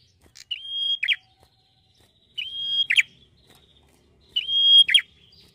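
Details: Small red-headed prenjak prinia in full song: three identical phrases about two seconds apart, each a clipped high note leading into a level piercing whistle that ends in a rough, buzzy drop.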